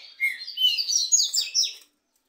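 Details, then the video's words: Trinca-ferro during a two-bird song contest: a short whistle followed by a continuous, fast warbling stream of high chirps, ending abruptly. "DISPUTA DE 2 TRINCA FERRO CANTO E MACHIADO ESQUENTA ATÉ CHEBA"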